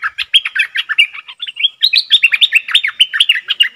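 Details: Very old captive bulbul used as a lure to draw a rival into a fight, recorded 31/12/2021. A rapid, dense stream of short chattering, bubbly notes, each sweeping up and down and repeating several times a second without pause.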